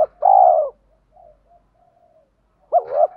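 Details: Spotted dove coo from a sequence meant to stir wild doves: one long, smooth, hollow coo, a stretch of faint low murmuring, then a sharp hooked note rising into another coo.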